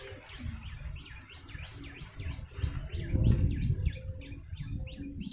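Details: Yellow-bellied prinia call used to lure birds: a fast, steady series of sharp, rising-falling chirps, roughly four per second, over loud low rumbling background noise.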